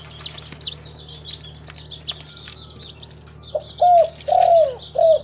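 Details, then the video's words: Local tekukur or spotted dove, kept in Timika, Papua: high scratchy chirping from other birds, then one clear soft coo phrase of three notes, short, long and falling, then short. "SUARA BURUNG TEKUKUR LOKAL, THE SOUND OF SPILOPELIA CHINENSIS"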